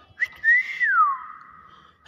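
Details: Pet common hill myna, a clever talking bird that mimics greetings and whistles, giving one long clear whistle that swells, holds level, then slides smoothly downward before fading, with short sharp clicks at start and end.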